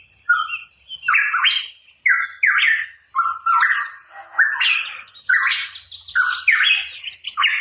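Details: Hooded pitohui, locally called cucak rawa papua, singing in full voice: loud, harsh, squawky phrases with bright overtones, each rising and falling, repeated about once a second in a steady run of roughly nine bursts.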